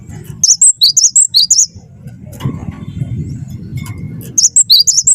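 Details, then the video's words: Cinereous tit, wingko type, in lively song meant to coax other birds into singing: two fast runs of bright, high two-note whistles alternating up and down, separated by a quiet gap with a low rumbling hum. "gelatik batu wingko gacor jitu buat bahan ikut gacor ampuh pancing bunyi"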